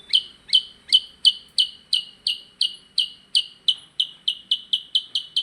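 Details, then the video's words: Energetic percang singing a long string of loud, ringing chip notes that slur downward, repeated about three times a second and speeding slightly toward the end, heard against a quiet background. "Burung percang gacor"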